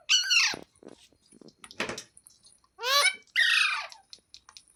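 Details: Green parrot, a rose-ringed parakeet, talking indoors: several voice-like, harmonic phrases and a long falling screech, mixed with rustling and clicking noises.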